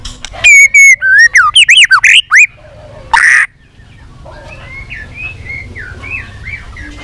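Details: Multi-voiced white-rumped shama song used for training and stimulating singing: loud, looping whistled notes and a harsh squawk, followed by a quieter series of short, sliding whistles in the background.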